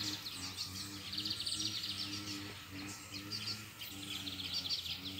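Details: Wild double-collared seedeaters singing in competition against rivals after being drawn in by playback; thin, rapid high twittering trills repeat in bursts throughout, over a steady low mechanical hum.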